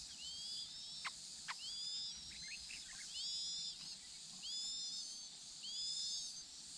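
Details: High, thin whistles from a Chinese hwamei pair tending four chicks: quick upward-sweeping notes given in small bursts about every second or two, with soft scattered chips and a couple of sharp taps against constant hiss.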